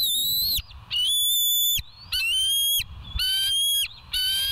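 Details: Bald eagles at the West End nest, live nature cam, July 27, 2023, early morning: loud high whistled calls in repeated bursts roughly every second, each a stack of piercing notes with short gaps of quiet between.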